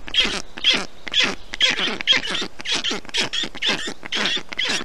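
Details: Calling black stork young in a nest in Estonia, 20 June 2021, as a parent works to cool them in the heat; clear, raspy, hissing notes repeated roughly twice a second in an even series.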